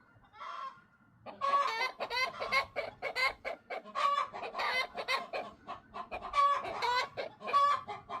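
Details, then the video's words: Free-range backyard chickens with Silkie bantams in the flock, a brief soft call then a steady run of loud raspy clucks and squawks from several birds. "the lovely sound of fresh eggs"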